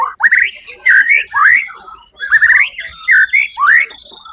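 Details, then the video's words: At the 1 October 2023 Suara Agung songbird contest, a first-placed white-rumped shama gives short separate phrases of rising and falling whistles, each about a quarter second, broken by a clear silent gap near the middle. "murai batu"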